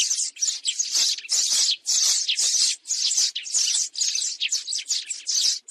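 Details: Loud, rasping sparrow chirps used for trapping these flocking birds, repeated roughly twice a second in an irregular run of short bursts with brief gaps between them.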